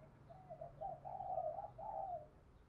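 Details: Spotted dove used as a lure bird, uttering a connected series of mellow, slightly rough coos that swell and fade over a constant low background rumble.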